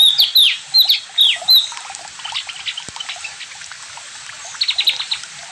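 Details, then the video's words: Javan grey-throated white-eye in ngalas and nyiul song: a few loud, swooping whistled notes open the phrase, then fainter chattering twitters, and a quick burst of high repeated chirps near the end. "OPIOR JAWA NGALAS DAN NYIUL ASIK"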